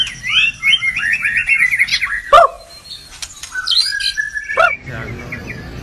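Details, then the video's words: White-rumped shama song with quick warbled phrases of tumbling mid-pitched notes, a sudden sharp note, then a steady held whistle and a further sharp accent. "kumpulan kicau MURAI BATU gacor"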